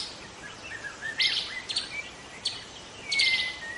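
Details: Forest-dwelling wild white-rumped shama giving scattered bright whistles broken by short harsh, noisy bursts, ending with a long clear falling whistle, against steady background hiss.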